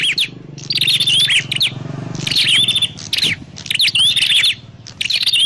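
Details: Trapping-lure recording of a prinia: repeated bursts of shrill chirps and thin whistled slurs over a low background hum, with roughly three call clusters.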